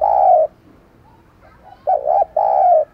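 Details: Decoy spotted dove calling wild doves: a long, smooth, low coo, a pause, then a quick two-part note straight into another long, slightly falling coo.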